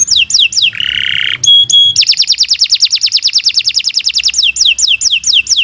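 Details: Canary song, a long continuous performance used as a master recording for training other birds: fast descending whistled sweeps, a buzzy low trill, then a long rapid rattling trill of repeated notes around two seconds.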